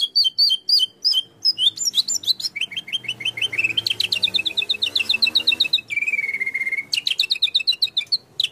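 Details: White-rumped shama performing a fill-in song liked by contest judges: an unbroken cascade of quick varied chips and trills, shifting pitch, then a steady low whistle before the rapid notes resume.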